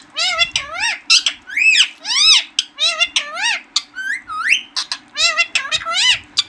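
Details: Green parrot talking, rich harmonic syllables with bowed and rising contours, delivered in quick continuous phrases with short breaks, over a low hum.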